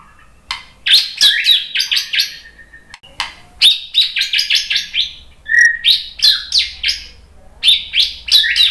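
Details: White-rumped shama provoked by a lure recording, singing vigorously: fast torrents of varied chirps, trills and whistled slurs in dense bursts, with brief pauses between runs.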